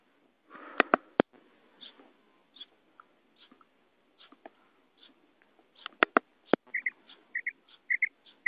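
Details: A female common quail (Coturnix coturnix) calls with a quick run of short, mid-pitched paired notes, about three a second, after sharp clicks and a brief rustle.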